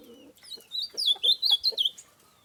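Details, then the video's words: Bananaquit, known locally as sibite, recorded in Itaitinga, Ceará: a rapid, jumbled run of sharp, high, thin notes sweeping up and down, forming a short buzzy phrase of about a second and a half after a few soft low sounds. "pássaros sibite"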